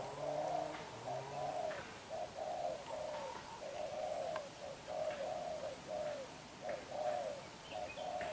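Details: Spotted dove, a young black-eyed bird newly caught, cooing vigorously (đập gù): a steady run of mellow, low coo notes repeated about once a second, with a deeper murmur at the very start.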